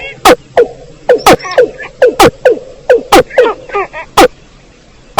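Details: Watercock lure call for trapping birds in rice fields: loud, low hollow pulses repeated irregularly, mixed with small rapid chirping from another bird.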